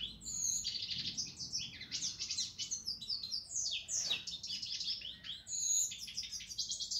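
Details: European goldfinch singing a fast, unbroken stream of bright tinkling twitters, liquid trills and buzzy slurred notes, with one sharp click midway through.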